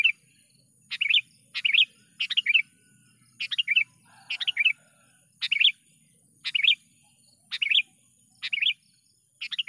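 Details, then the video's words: Repeated lure calls of a sooty-headed bulbul used to attract wild birds for trapping: quick two- or three-note bubbly chirps, roughly one phrase per second, steady and loud, with a brief lower sound near four seconds. "BURUNG KUTILANG gacor dengan suara panggilan pikat kutilang / panggilan burung kutilang pikat"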